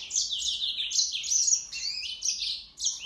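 A yellow-fronted canary sings a fast, continuous run of high, sweet twittering phrases and slurred trills that rise and fall without pause.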